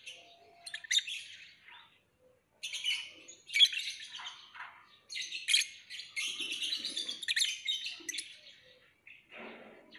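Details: Lovebird song: rapid, scratchy, high chirps and twitters in dense bursts with brief gaps, a long continuous chattering run in the latter half.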